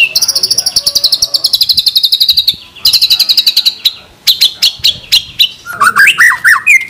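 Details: A shama pours out 'tembakan' shot-like song phrases in a training lure for its kind: a long, fast, high rattling trill, a second even trill, spaced sharp notes, then slurred, warbled whistles lower in pitch.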